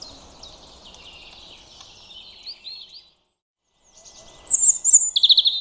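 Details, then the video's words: A European robin sings two high, thin, warbling phrases separated by a brief pause. The second phrase ends in bright, rapid trills over a faint background hiss. "Soothing Sounds of European Robins"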